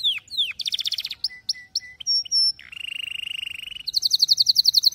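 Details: Singing canary used for teaching fledglings to sing: falling whistles, a buzzy trill, short clipped notes, a long steady low rattle, then a fast high bright trill.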